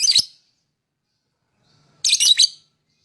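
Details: Lovebird chirping, played to lure other birds: two short, harsh, high chattering bursts about two seconds apart, with silence between.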